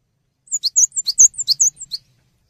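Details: Gelatik batu, the cinereous tit, singing energetically as a tutor for training songbirds: one quick burst of about ten high, sharp chirps alternating two pitches, lasting roughly one and a half seconds, with a faint low hum beneath.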